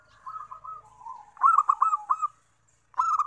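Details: Zebra dove singing to lure wild doves, giving a soft run of low rolling coos, then a louder quick stuttered phrase of coos, and a fresh phrase starting at the end after a short pause.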